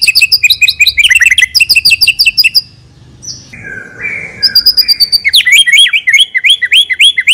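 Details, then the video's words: Murai batu, the white-rumped shama, kept as a caged songbird and singing a richly filled song as a lure: rapid chirped trills, a short gap with soft sustained notes, then loud repeated whistled phrases. "MURAI BATU PILIHAN GACOR TERUS FULL ISIAN MEWAH FULL TEMBAKAN DURASI, SANGAT COCOK UNTUK PANCINGAN."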